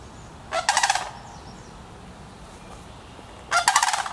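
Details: Sandhill crane family group in Petoskey, Michigan: two loud, rolling, rattling calls about three seconds apart, each a burst of rapid pulses, over a quiet, faintly hissing background.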